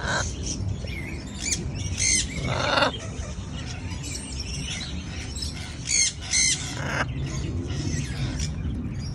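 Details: Baby macaw sharing its brunch with a friend: a few harsh, broadband squawks near the start and middle, separated by quieter stretches of outdoor background with faint chirping birds.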